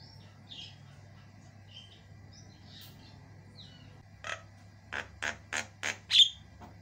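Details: Javan myna, white-eyed, singing non-stop: soft scattered chirps and whistles at first, then a loud series of five or six evenly spaced harsh clicks ending in a sharp whistle, low hum throughout.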